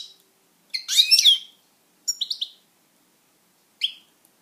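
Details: Pet European goldfinch singing a dense tinkling twitter, followed by a trio of quick rising chirps and one final lone chirp after a pause.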